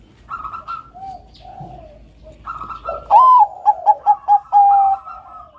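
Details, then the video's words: Zebra dove, Bangkok perkutut, giving its melodious training song: quiet low cooing at first, then a loud rising note, a quick series of short coos and a drawn-out final coo. "BUNYI SUARA BURUNG PERKUTUT BANGKOK GACOR SUARA MERDU COCOK UNTUK PANCINGAN TERAPI MASTERAN KUTUT"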